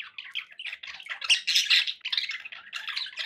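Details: Several pet budgies in continuous scratchy chatter, packed warbled notes and sharp squeaks in irregular clusters, louder in the middle.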